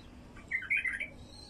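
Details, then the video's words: Wild bulbul song, played to attract wild bulbuls: a brief burst of bright, warbling chirped notes lasting under a second, loudest in the middle, over a faint steady hiss. "تغريد بلبل وحشي لفتح البلابل الوحشية"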